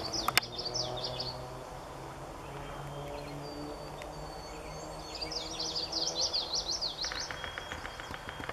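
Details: A common yellowthroat at Daly Point sings two bright bursts of quick, rolling, repeated phrases a few seconds apart, over a steady low hum and a few sharp clicks.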